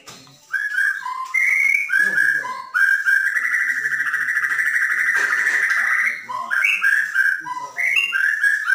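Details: Caged Bornean white-rumped shama singing to spur other birds: quick whistled phrases, then a long sustained rough buzzing note, followed again by varied bright whistled notes.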